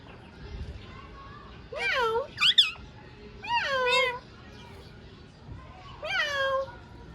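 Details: Ringneck parrot talking: after a quiet start come separate strained, wavering harmonic syllables, including one sharp rising squeal, spaced with short pauses in a quiet room.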